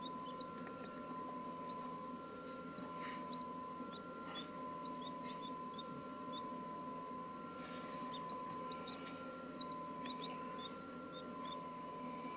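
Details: Thin, high peeps from a pair of two-day-old Chinese blue-breasted quail chicks, one Darth Vader and one golden pearl variety, scattered in small clusters with pauses, against a constant low hum and light scuffling.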